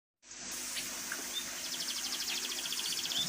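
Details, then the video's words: Munia singing a canary-like song: high, thin chirps building into a fast, rapid-fire trill of repeated notes over a steady background hiss. "burung pipit suara kenari"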